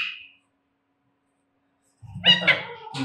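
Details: Pet Alexandrine parakeet in speech training, taught to say "Jai Shri Ram" and "Mithu Bete"; after a short squeak and a long silence comes a harsh, buzzy, speech-like phrase of two or three syllables, indoors.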